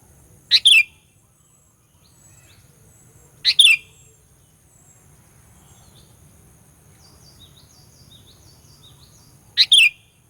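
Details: Sooty-headed bulbul singing a lure song meant to stir up rival bulbuls. Three brief, sharp, bubbly chirped phrases come at uneven gaps of about three and six seconds, with faint thin twitters from other small birds between them.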